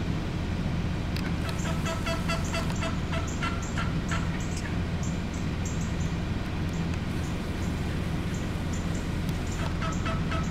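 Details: Wild turkeys, many gathered in one spot, gobbling in rapid rattling bursts that come in clusters and overlap, several birds calling at once over a steady low rumble of background noise.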